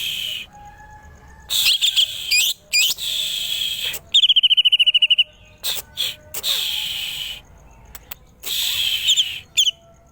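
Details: Cucak ijo geger geden, the greater green leafbird, delivering bursts of loud, buzzy high notes, a short rapid rattling trill and scattered sharp chips separated by brief pauses.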